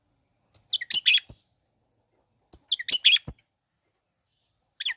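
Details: Long-tailed shrike song meant to provoke sluggish shrikes into calling: two near-identical phrases about two seconds apart, each a high sharp note followed by a jumble of rasping chatter, with a third phrase starting at the end.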